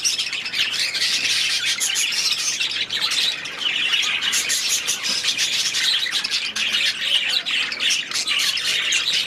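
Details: Budgerigar flock in an aviary producing a steady, unbroken wall of high, scratchy chirping and warbling from many birds at once.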